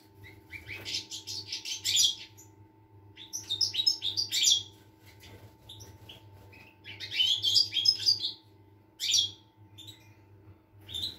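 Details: European goldfinch song recorded on 25 August 2021: bursts of bright, twittering, tinkling notes with buzzy trills, phrases of one to two seconds separated by short pauses, over a steady low electrical hum.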